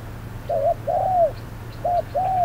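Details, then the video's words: Decoy spotted dove cooing during a trapping session at hot midday; two pairs of soft low coos, a short note then a longer sliding one, over a steady low mechanical hum. "Bẫy cu gáy"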